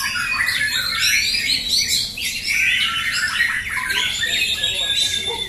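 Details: Caged White-rumped shamas in a fighter-class singing contest at Jatisari, Bekasi, Indonesia, Friday 14 June 2024. Dense, rapid whistled and chattering phrases sweep up and down, several birds overlapping, with a faint murmur of people underneath.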